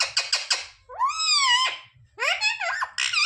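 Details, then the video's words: Parrot kept as a pet, talking and mimicking words like "mummy papa": four quick clipped syllables, then a long drawn rising-falling squeal and a final pair of harsh bending calls. "Parrot talking mithu mithu 😱Mummy papa bolne wala mitthu"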